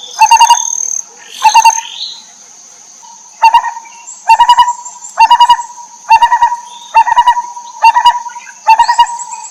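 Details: Wild lineated barbet nestlings begging as the mother bird feeds them: short bursts of four to six fast throaty pulses repeated about every second, some louder and harsher, over a constant thin high-pitched tone.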